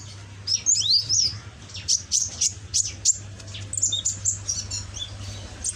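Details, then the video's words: Young caged red-and-green-backed ninja sunbird, still learning its song and already singing, gives a fast run of high, thin chirps and sharp twittering notes, closely spaced, with a steady low hum underneath. "Burung Kolibri ninja punggung merah ijoan gacor"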